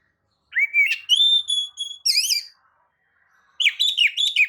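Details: White-rumped shama song used to draw other birds into singing: a rising whistle, a long level pure tone, a warbled phrase, a short pause, then a quick burst of twisting high notes.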